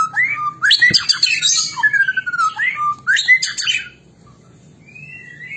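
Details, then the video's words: Caged white-rumped shama, murai batu, singing in an energetic fighting style: loud rich phrases mixing rising whistles, harsh chattering bursts and slurred notes for four seconds, then a soft high whistle; a low hum persists underneath. "Murai Batu, gaya tarung suara pedes ngotot dan enerjik"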